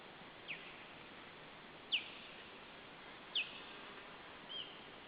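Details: Osprey at its nest in Estonia, July 2012, the day after ringing, alarmed by an intruder: thin, descending whistled notes spaced about every one and a half seconds, four in all, over a quiet steady background hiss.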